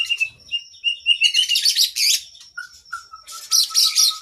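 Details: Varied training song of an oriental magpie-robin kept as a cage bird: clear steady whistles, then dense high chattering phrases, a lower pure whistled note, and another burst of rapid twittering.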